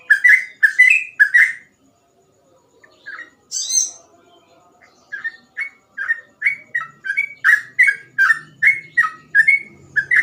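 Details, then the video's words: Trucukan, or sooty-headed bulbul, singing gacor ropel style as a training tutor: a quick burst of fluty whistled notes, a pause broken by one high buzzy flourish, then a long steady run of clear bending whistles, several per second. "burung trucukan gacor ropel cengkok mudah di tiru"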